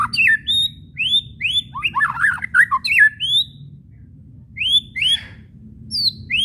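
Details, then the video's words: White-rumped shama whistles and chattering kretekan, used as a lure to provoke shamas into singing: clear rising whistled notes mixed with harsh scratchy chatter in bursts, with pauses between phrases over a low steady hum. "SIULAN DAN KRETEKAN MURAI BATU BIKIN RIBUT"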